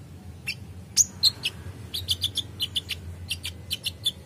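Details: Untrained captive purple-throated sunbird responding to a vocal individual: a fast series of short, bright, high chirps at nearly four per second, slightly irregular, opening with a sharper whistled note.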